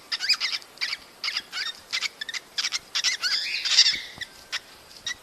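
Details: Cockatiels giving calls meant to stimulate mating: a quick series of short, harmonic chirps with bent pitch, roughly two or three per second. A louder, drawn-out squawk comes near the end.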